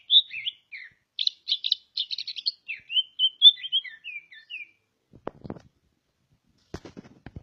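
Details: Greater green leafbird from Ngawi, East Java, a prolific national-champion singer, delivers a lively burst of rapid buzzy and whistled high notes with sliding slurs for about four seconds, followed by scattered low knocking and handling sounds.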